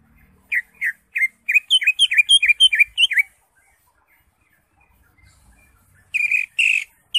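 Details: Greater green leafbird singing in its chattering ngekek style: a quick run of about fifteen sharp, downslurred chirps over three seconds, a pause, then a louder burst of rising and falling notes.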